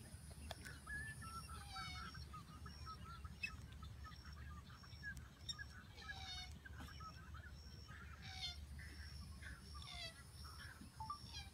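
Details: Whistling ducks at Wakodahatchee Wetlands give squeaky, wheezy whistled notes, several in quick runs, while other birds sing high thin notes behind them over a low rumble.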